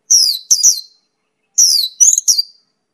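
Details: Mongolian lark (pakling) song fragment: two short bursts of high, sliding chirps and downslurred whistled notes separated by a brief pause, clear and close.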